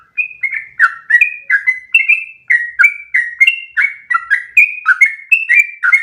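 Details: One-breath sooty-headed bulbul song for training other birds, a brisk sequence of clear whistled notes alternating between higher level tones and lower dropping ones, roughly two per second.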